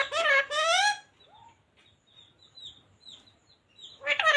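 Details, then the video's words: Talking green ringneck parrot indoors gives one brief, throaty, speech-like phrase of "radhe radhe" and then a short upward squeak. Quiet high chirps from other birds fill the remaining seconds before another burst begins. "Parrot talking radhe radhe | राधे राधे बोलने वाला तोता"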